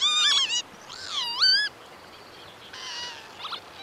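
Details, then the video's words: Northern lapwing, a crested wader of fields and wetlands, calling with slurred, wheezy notes that dip and rise steeply, followed by a fainter, buzzier phrase. "Northern Lapwing Song - Lapwing Bird - Common Lapwing"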